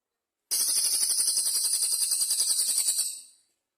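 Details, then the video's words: Velvet-fronted nuthatch (cililin) in full song with pauses: a long, fast series of sharp, high chip notes forming a dry trill of nearly three seconds that gently fades at the end; nothing else audible. "BURUNG CILILIN GACOR BERJEDA SUARA ASLI"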